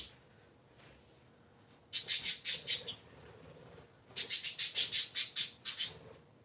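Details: On a Sunday morning indoors, three little pet parakeets produce two runs of harsh, evenly pulsed chirps, about six notes then about eight, separated by a brief pause.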